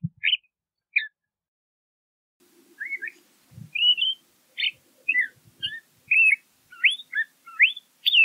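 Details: LeConte's thrasher giving spaced whistled notes at first, then a livelier sequence of rising, falling and curling whistles, with faint low rustling in the background.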